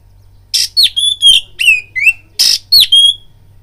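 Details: Oriental magpie-robin song used as a fighting lure: clear downslurred whistles alternate with two harsh, broad rasping bursts in a brisk phrase, a steady low hum in the background.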